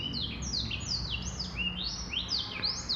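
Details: High, clear whistled phrases from a male black-throated canary, notes swooping upward then curling down, sung in a lively, tightly linked sequence.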